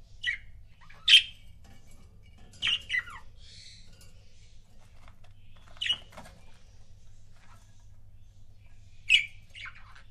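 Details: Budgerigar couples kept as pets, giving sparse sharp chirps spaced a few seconds apart, some as quick double notes, over a quiet background.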